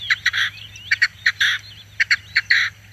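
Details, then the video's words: Red-legged Partridge song, close and loud: pairs of short sharp chuk notes followed by a longer harsh churring note, repeated four times in quick succession over a faint low hum. "perdiz Roja cantando sonido"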